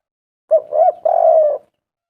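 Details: Spotted dove calling vigorously as a lure for other doves: a brief sharp note and a rising coo, then a long, even, slightly wavering coo that fades out.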